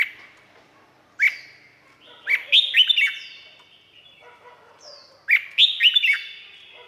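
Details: Red-whiskered bulbul from Thailand, song used for training or rousing caged birds: a single rising note, then two quick clusters of liquid, looping whistled notes with ringing echoes and quiet gaps between.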